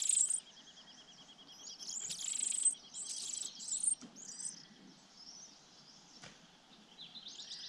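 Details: Sparrow chicks in a nest atop a pine tree, fed by a parent, give high, thin, squeaky begging calls in bursts, over a steady insect-like hiss and faint background noise.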